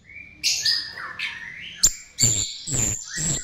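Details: Chestnut-tailed starling song used as a lure. Mid-pitched whistled notes slide downward, then a sharp click is followed by three loud, rasping chatters. Each chatter carries a thin high whistle, spaced about a third of a second apart.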